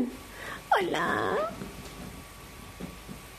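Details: Sulphur-crested cockatoo indoors giving one loud, harmonic call that rises sharply and then slides down, lasting under a second, with quiet room noise and soft human sounds afterwards.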